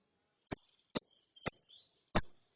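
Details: Young lovebird, chirping after therapy, gives four brief piercing high chirps, each a quick downward flick, spaced roughly half a second apart.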